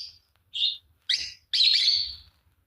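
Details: Pair of green Fischer's lovebirds: short high squeaks building to a longer harsh, scratchy shriek lasting nearly a second.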